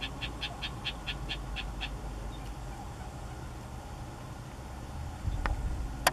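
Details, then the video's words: Isabelline shrike (Lanius isabellinus), also known as rufous-tailed shrike. A rapid run of about eight short, evenly spaced high notes fills the first two seconds. A steady low rumble continues underneath, with a few sharp clicks near the end. "سنگ چشم دم سرخ Isabelline Shrike"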